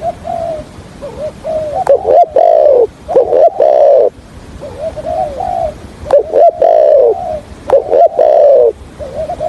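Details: Trapping decoy spotted dove calling and stutter-cooing in the 'thổ' style: quiet mellow coos alternate with loud hooked notes and long falling coos, repeating in phrases about every two seconds, very close.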